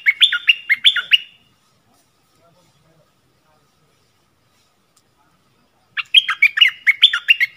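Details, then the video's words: Yellow-vented bulbul decoy song for luring wild birds, dated 20 March 2021: two bursts of bubbly, chortling notes, one at the start and one after about five seconds of silence. No other sounds. "เสียงต่อนกดอกแตง Ep.37 นกป่าถึงกับ งง!! Burung merbah kuning"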